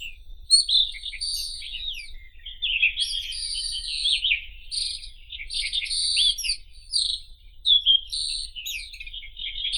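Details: Long White-throated robin (Irania gutturalis) song: continuous chattering phrases of scratchy, buzzy and whistled high notes that go on for nearly ten seconds, with quick pitch jumps. A soft low hum sits in the background.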